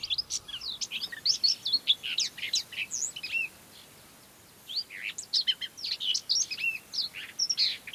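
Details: Common whitethroat, Sylvia communis, singing in mid-May in Møre & Romsdal County, Norway; two scratchy, chattering strophes of rapid high notes with a short pause between them.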